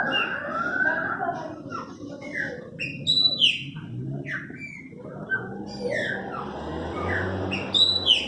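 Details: Chopi blackbirds kept by their owner singing: a busy run of varied whistled and slurred notes, some rising and some falling, tumbling quickly over a steady low hum.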